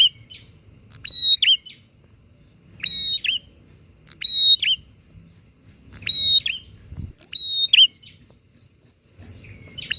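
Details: Energetic bar-winged prinia exchanging song to agitate rival prinias: six or seven piercing phrases of clicks and a steady high whistle with a short downward twist, spaced about every one to two seconds, with faint low background noise.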